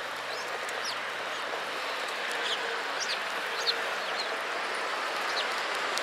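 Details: Sparrows gathering at food at a shrine, recorded 28 February 2017; many short high chirps scattered irregularly throughout over a steady background hiss.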